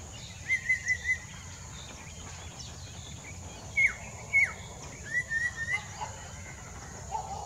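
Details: Ringed Collared Palm-Thrush singing near Mida Creek: clear whistled phrases near the same pitch, some with a sharp downward slur, given in short bursts with pauses, over steady background hiss and faint other birds.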